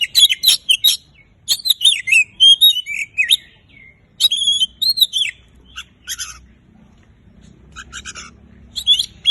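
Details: Oriental magpie-robin song used to get mute birds singing: quick clusters of clear, bent whistles and sharp high chirps in bursts, quieter scratchy notes toward the end.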